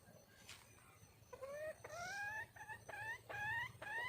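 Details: Red junglefowl female seeking a mate gives a run of short, whining, upward-sweeping notes, about six in four seconds, each bending higher at the end, over soft background noise.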